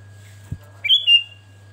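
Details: Sooty-headed bulbul, a captive male, sings a brief phrase after a soft knock: two bright whistled notes, the first rising into a level tone, the second steady and slightly lower, over a faint constant hum.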